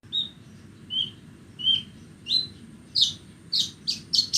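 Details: Horsfield's bush lark, a Bornean bird, singing on a bright morning: short whistled notes spaced about every 0.7 seconds, then a quicker run of buzzy, rasping notes.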